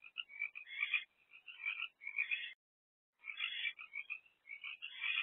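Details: Nighttime barn owls at a nest box, April 2024, adult female with two older chicks; dense scratchy twitters in two bursts separated by a second of silence.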